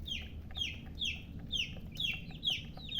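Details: Chicks of a hen chirping, loud descending peeps repeated about twice a second, each dropping sharply in pitch, over a steady low background hum.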